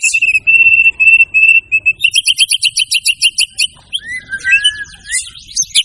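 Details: Energetic white-rumped shama song showing off varied material. Steady pure whistled notes are followed by a quick run of repeated sharp notes, then smooth sliding whistles and scratchy high flourishes.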